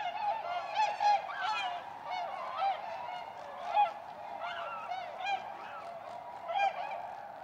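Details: A flock of Tundra Swans, returning in spring to Goose Pond, Columbia County, south-central Wisconsin, USA, in March 2016, keeps up a steady chorus of overlapping, high, mellow whooping notes, with louder single calls rising above every second or so.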